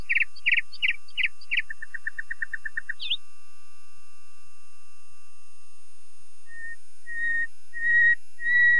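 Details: Common nightingale song: four loud rasping notes, then a fast rattle of low chips, a rising flick, and after a pause several long, pure whistles growing louder.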